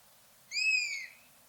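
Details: One plaintive mewing cry from a buzzard: a clear, slightly falling whistle-like note about half a second long, with faint background hiss.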